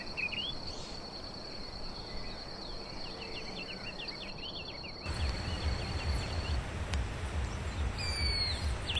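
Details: Fawn-breasted tanager in the wild producing a scattered series of short, high, thin notes during the first few seconds against a steady high buzzing tone, then louder broadband background noise.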